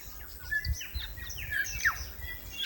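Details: New Zealand bellbird (korimako), a native bird, singing in forest: clear descending whistled notes and short slurred phrases around mid-high pitch, with other chirps and low rumbling background noise.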